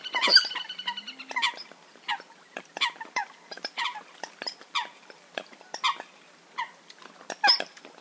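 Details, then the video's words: Eurasian coot (Fulica atra), a hunting call recording: a burst of harmonic, squealing notes, then spaced, abrupt, nasal calls roughly every half second to a second, with faint clicking between them. "Eurasian Coot (Fulica atra) Real Hunting Call Sound"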